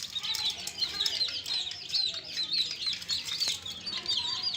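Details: Newly added fresh chicks calling together, a dense flock chorus of shrill, high, downward-slurred peeps repeated rapidly and overlapping, with scattered clicks and scratching underneath.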